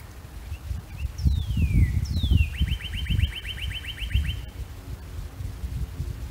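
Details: Male Northern Cardinal among spring bluebells at Uplands Reserve, Hunterdon County, singing to establish territory and attract a female: two long, sharply falling whistles, then a rapid run of quick downslurred notes, over wind and handling noise.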